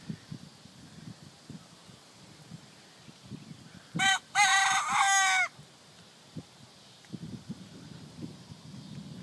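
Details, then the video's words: A rooster kept in a backyard coop crows once: a brief opening note, then a loud, harsh, harmonic-rich drawn-out phrase lasting about a second and a half, amid low thumping and rustling noises before and after. "We Have Rooster"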